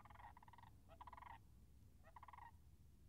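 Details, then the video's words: By a wetland marsh in late March 2019, Sandhill cranes make three short, trilled, rolling calls in quick succession, partly masked by a steady low rumble. "Wetland Marsh Audio - Sandhill Cranes"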